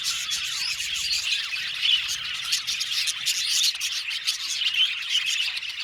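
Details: Flock of budgies in an aviary, non-stop overlapping tweets and chirrups with occasional clearer whistled notes rising above the busy high chatter.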